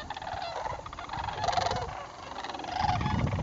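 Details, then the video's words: A sandhill crane flock gathered in northern Indiana during fall migration, October 2011, calling with overlapping rattling bugles over a low rumble of wind or handling noise that grows stronger toward the end. "Sandhill Cranes migrating South for the Winter"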